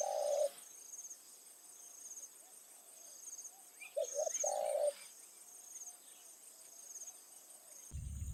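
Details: Spotted dove used as a decoy in an evening session, calling to lure wild doves near rice fields. Two short bursts of low, hoarse cooing notes, one at the start and one about four seconds later, with a steady high insect whine behind.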